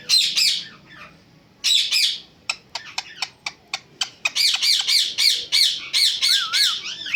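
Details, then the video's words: Talking parrot with loud buzzy squawks, then a quick series of sharp clicks, followed by repeated harsh screeches and a wavering whistle. "Best And Super Talking Parrot"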